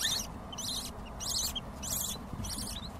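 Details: Baby lovebirds calling out with hunger, giving rough, hissing high squeaks in quick pulses roughly every 0.6 seconds over a noisy low rumble.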